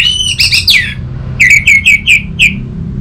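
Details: Song of an orange-headed thrush: a scratchy, slurred, descending phrase followed by a rapid series of six clear whistled notes at even pitch. A faint low hum sits underneath.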